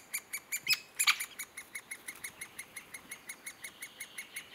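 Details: Great spotted woodpecker uttering a steady series of short, sharp high notes, about three per second, with a louder cluster of clicks near the first second.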